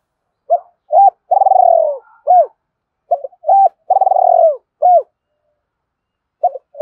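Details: Cooing of a spotted dove, a call used to stimulate wild doves: two repeated phrases of brief hoots framing a drawn-out vibrating coo, then a faint coo after a long pause.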